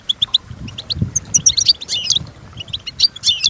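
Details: European goldfinch song for training: three clear chirps open a rush of high twittering, tinkling and slurred notes, with low background hum throughout.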